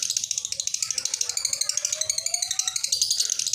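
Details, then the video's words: Lovebird giving ngekek, a long chattering call kept up from start to end, used as a training master and lure for other lovebirds; a dense, rapid stream of high, buzzy pulses, about ten per second without a break. "Awal dan Akhir Suara Lovebird Ini Tetap Ngekek Pas Buat Masteran Dan Pancingan Lovebird Apapun"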